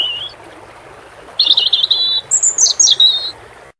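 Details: High, clear European robin phrase over flowing water: after a faint opening note, a run of rapid, evenly spaced thin whistles, then a higher warbled flourish dropping in pitch.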